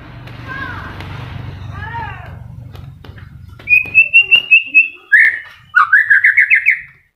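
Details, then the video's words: Moulting white-rumped shama, kept and still singing, used to prompt shamas that stopped singing: after a low hum and soft background calls, a rapid series of ringing notes, a short whistle and a fast chattering trill. "MURAI MABUNG TETEP GACOR//PANCINGAN MURAI MACET PASCA MABUNG"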